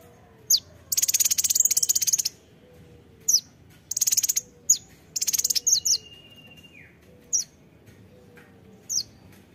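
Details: Sharp, high kolibri ninja (konin) song: bursts of dense buzzy trills alternate with single high downslurred chips and a brief falling whistle, over a soft low background whistle.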